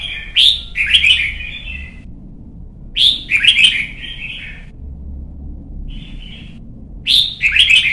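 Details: Caged young red-whiskered bulbul in Vietnam, in song training for competition singing; three loud whistled phrases, each opening with a sharp upswept note and rolling into warbles, spaced roughly three seconds apart with a short soft note between.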